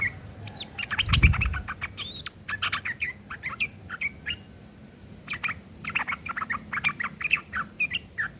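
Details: Yellow-vented bulbul in harsh ngeriwik kasar chatter, used for tutoring long-tailed shrikes; rapid scratchy chirp bursts with short gaps, and one low thump early on.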